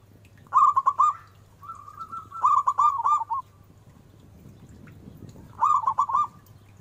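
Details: Loud local zebra dove used as a lure sound: three short phrases of rapid rolling coo notes, each about a second long, separated by quiet gaps with a low steady hum.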